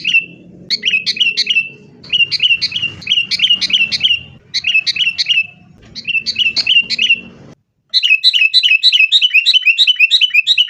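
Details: Sooty-headed bulbul recording for prompting caged birds to sing; dense, rapid trains of rolling whistled notes in repeated bursts, a brief silence, then an even faster continuous chatter, with low background hum.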